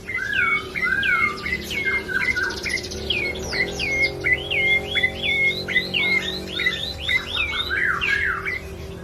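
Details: Bar-winged prinia singing nonstop, a run of sharp whistled notes that dip and flick upward, repeated roughly every three-quarters of a second, with faint steady musical tones humming underneath.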